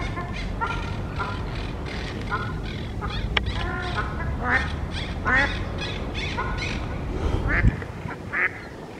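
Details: Mallards on a lagoon with about 26 ducks, among them a parent bird with an injured foot, give harsh, nasal quacks in short bursts of two to four over a low rumbling background, with a woman speaking nearby.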